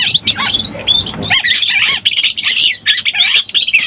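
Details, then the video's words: Breeding-condition Oriental magpie-robin lure call opening with a long thin level whistle over low background noise, followed by choppy harsh notes and short twisting whistles in quick succession. "SUARA BURUNG KACER BIRAHI_SUARA PIKAT BURUNG KACER"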